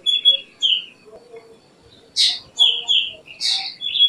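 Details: Short run of black drongo notes: flat, slurred whistles, then a loud grating burst followed by more whistles that dip in pitch.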